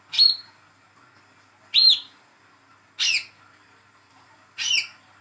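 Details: Hand-fed young olive-backed sunbird calling as a lure for a silent bird: four sharp, harsh high notes spaced about one and a half seconds apart, the later ones rougher.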